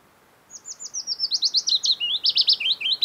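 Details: Willow Warbler song from the Geilo area by the Hallingskarvet range, Norway, early summer; clear repeated whistled notes tumbling down the scale, then a brighter run of lower looping notes, around 2.5 seconds.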